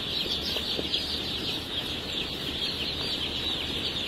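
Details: Baby Wyandotte chicks of the blue laced red and splash laced red varieties, many high thin peeps blending into one continuous shrill chorus, with a faint low rumble underneath.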